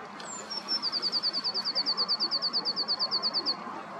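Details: Eurasian blue tit at the riverside in early morning, April 2023, gives a thin high introductory note followed by a rapid, evenly spaced trill of roughly twenty bright notes over a constant murmur of flowing water.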